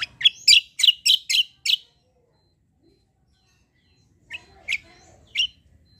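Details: Kecial kombo white-eye, a fighter songster used to tutor other birds: a rapid run of six loud, rasping notes, a silent pause, then three more scattered harsh chirps.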